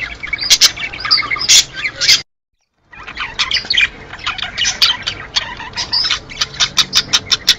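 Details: Chattering budgerigars, in a sound offered to prompt mating, squawk and twitter in high notes. A short silent break falls after two seconds, then the warbling resumes and ends in a run of quick, clipped chirps.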